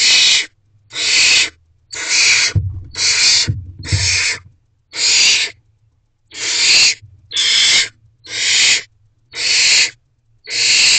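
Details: After the adult male brings food to the nest box, a barn owl owlet screeches over and over: rasping, hiss-like bursts about every second, eleven in all, with dull bumping sounds early on.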